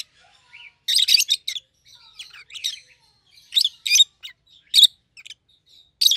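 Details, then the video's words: A pair of rosy-faced lovebirds, one yellow and one green, both red-headed, give shrill, sharp chirps in short clustered bursts. Loud rasping notes alternate with softer squeaks over about six seconds, with brief quiet gaps between them. "Lovebird's Sounds - Lemon & Melon - Rosy-faced Lovebird"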